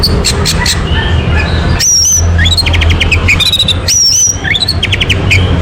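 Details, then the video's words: Orange-headed thrush singing as a lure to prompt another bird to sing: clear rising whistles mixed with short rapid trills and chirps, repeated in bursts, over steady low background hum. "PANCING ANIS MERAH AGAR CEPAT TELER"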